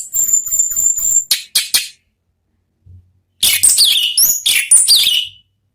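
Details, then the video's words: Orange-headed thrush (anis merah) in a lure recording for songbird keepers; a steady high trilled whistle, then sharp choppy notes and a dense burst of rich, varied whistles after a pause. "MEMANCING ANIS MERAH BUNYI NGEPLONG"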